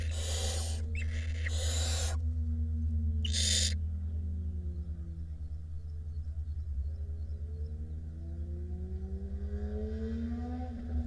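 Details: Five barn owl chicks in a nest box in Israel, filmed by nest camera on 22 May 2021, give three rasping, breathy hisses in the first four seconds, followed by quieter stretches over a constant low mains hum.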